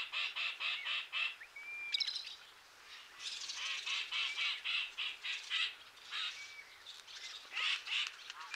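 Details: Chirping yellow-headed blackbird: quick repeated rasping notes in bursts, with a few thin clear whistled slurs between them, against a steady soft background hiss.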